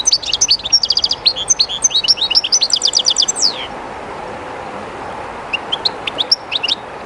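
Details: European goldfinch, a kept bird singing near the current of the Jerte River, a little shy in the new place; a dense run of fast tinkling, twittering notes ending in a downslurred note, pause, then sparse high chirps, with river rush beneath.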